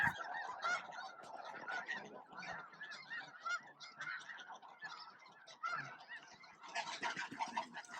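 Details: Midday flock of thousands of snow geese at Bosque del Apache, feeding and jostling for space with scattered Ross's geese mixed in; steady layered honking with rising and falling surges, calls overlapping throughout.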